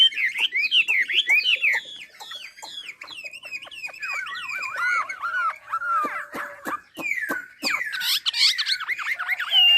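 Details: Chinese hwamei from Ha Giang singing a rich, varied run of loud whistled phrases, sweeping up and down, mixed with sharp clicking notes and short rapid trills.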